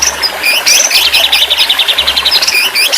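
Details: White-rumped shama song, used as therapy audio to get a stressed bird singing again: high whistled phrases leading into a fast, steady, rattling trill of repeated notes.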